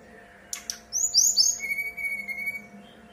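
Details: Brown-chested jungle flycatcher singing in persistent fluting style as a lure for other birds: two dry clicks, high whistles that drop quickly, then a long steady lower whistle.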